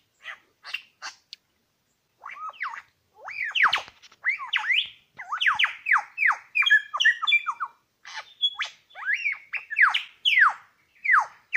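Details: Superb Lyrebird male in wild forest at Lookout Point, New England National Park, one of two: dense rapid song of ringing whistles, many sharply falling and looping, with fast chatter, delivered in close and almost unbroken sequence.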